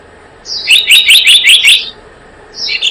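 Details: Blue-eared kingfisher, lure recording for bird trapping: one quick run of about six shrill, high, ringing notes, then a faint high squeak at the end.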